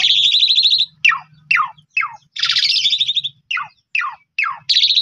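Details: Pundung-type Asian pied starling lure song, mixing long harsh buzzy rattles with quick downward-sweeping whistled notes repeated about twice a second, a faint low hum underneath.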